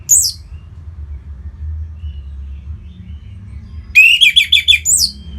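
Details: Orange-headed thrush, Singaraja, North Bali, with song meant to spur other birds to sing: a sharp high note, a long near-silent gap, then a quick burst of rapid chattering trilled notes.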